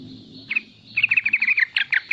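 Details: Short burst of riwikan song from a young sooty-headed bulbul used as a lure for untrained birds: two lone notes, then a tight run of about ten bright, quick chips.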